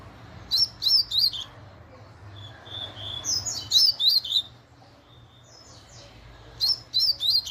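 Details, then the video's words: Double-collared seedeater in the fast laranjeira style, repeating short runs of three to five high, sharp, whipping notes with brief gaps, some softer sliding notes between, and a low background hum. "COLEIRO LARANJEIRA MUITO RÁPIDO"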